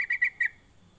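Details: Brief sooty-headed bulbul lure call used to coax other bulbuls into calling: four short whistled notes in quick succession, the last trailing off.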